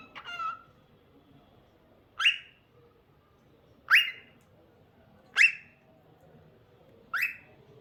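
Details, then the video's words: Cockatiel giving sharp rising upslurred calls, each a quick bright note, repeated about every one and a half seconds, five in all, in a quiet room. "Adorable Cockatiel Cute Singing Sounds"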